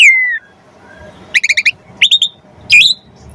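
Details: Javan pied starling training material for magpie-robins: a long falling whistle, a quiet gap, then short bursts of three to four clipped, stuttering notes.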